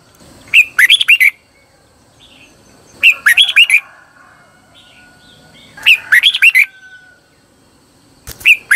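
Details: Red-whiskered bulbul sings as a decoy to call wild birds; short phrases of three or four slurred whistles recur every two to three seconds, with a faint distant chirp in between.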